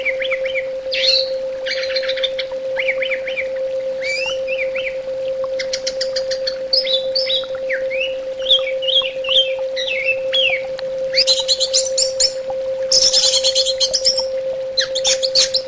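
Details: Long varied song of an orange-headed thrush, with rapid bursts of chattering, trilled and slurred whistled phrases following one another without pause, and a steady low hum underneath.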